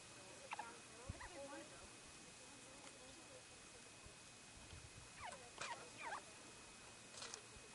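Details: An almost fully grown white-tailed ptarmigan chick, stretching and running about an alpine meadow on Mt. Rainier, gives soft, high peeping notes that slide up and down, in two short bursts a few seconds apart, over a quiet background.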